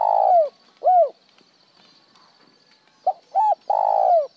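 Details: Cooing spotted dove, from recordings of 'một hậu' and plain 'trơn' calling: a long falling coo and a separate arched end note, a pause, then a fresh phrase of short note, hummed note and long drawn-out coo.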